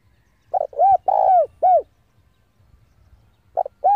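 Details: Spotted dove decoy bird cooing to lure rival doves in to fight: phrases of a short note, two arched coos and a long buzzy middle coo, the pattern starting again after about two seconds of quiet.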